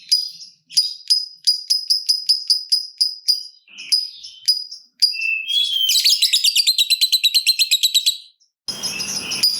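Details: ['Lovebird used as a lure to get other lovebirds singing, in the ngetik ticking style: a rapid series of sharp high chirps, then a long, dense ngekek trill of rapidly pulsed notes, ending with a burst of noisy chatter.']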